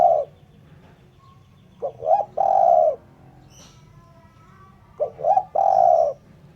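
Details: Clean spotted dove cooing, intended as a lure for catching birds. The end of a coo is followed by two full phrases about three seconds apart, each a brief stutter, a rising coo and a long drawn coo.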